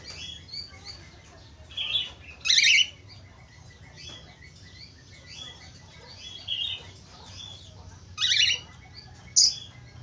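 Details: Budgerigars warbling as a lure track meant to spur quiet budgerigars into song; continuous soft twittering chatter broken by several loud, harsh squeaky bursts every few seconds, with a faint low hum beneath.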